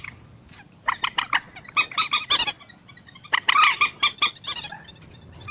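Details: Common moorhen making two clusters of quick, harsh, repeated clucking notes, the second louder and more rasping, separated by a short pause.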